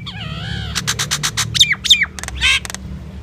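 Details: Common myna singing: a wavering harmonic whistle sliding downward, then a run of harsh broadband rasping notes, sharp downslurred whistles and gurgling chatter, loud and close.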